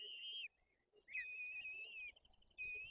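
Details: White-tailed eagle chicks in Tuchola Forest, Poland, fed fish while the older chick is aggressive. A short whistle, then a longer note that rises and holds steady before fading, and a third whistle beginning at the end.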